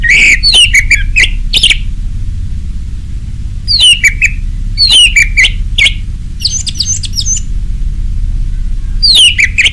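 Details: Orange-headed thrush song in 'ngeplong' style, used as a lure to get caged birds singing: loud whistled phrases sliding down between high and mid pitch, broken by sharp clicks, repeated in bursts about every two seconds.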